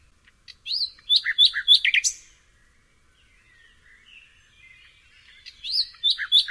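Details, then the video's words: Nightingale song with crisp, varied chirped phrases in a quick sequence, a soft lull of faint twitters, then another burst of sharp repeated notes rising at the end. "SOOTHING SOUND OF THE Nightingale"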